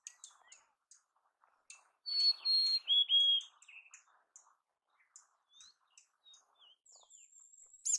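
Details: Mountain chickadee in natural habitat giving a clear two-part whistle, a high pure note then a slightly lower one, among scattered faint high chips and short whistles spread across the recording.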